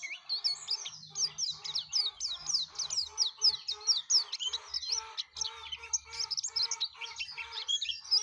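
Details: Yellow-breasted white-eye (pleci dada kuning) singing gacor, an extended rapid sequence of high sweeping chirps and twitters, with a soft repeated low tone in the background.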